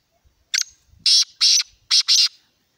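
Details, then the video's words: Black francolin calling: a loud, harsh, grating phrase of one short burst followed by two pairs of rasping notes, broad and high-pitched, against a quiet background. "Kala Teetar ki awaz | Black Francolin ki voice"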